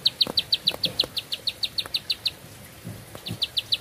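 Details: Bar-winged prinia pouring out rapid, high, clipped notes at about five per second, pausing briefly after two seconds before resuming the same ticking series; soft low knocks audible.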